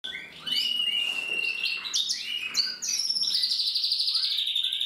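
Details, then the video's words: Older male canary singing again after the moult, practising its song: a long steady whistled note, then quick chirps and a bright buzzy rolling trill held to the end. "Kanarienvogel singt"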